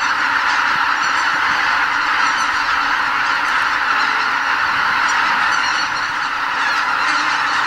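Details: About 80,000 greater white-fronted geese leaving their roost before sunrise at Lake Miyajimanuma, a Ramsar wetland in Bibai, Hokkaido, during the spring stopover on their way north; a dense, unbroken wall of overlapping honking calls.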